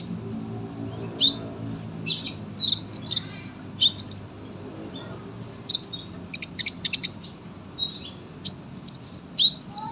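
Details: Sunbird kept as a song tutor for young birds, singing scattered high, sharp chips and short, slurred whistles in irregular bursts with brief pauses, some notes sliding down, the last a thin rising-falling whistle.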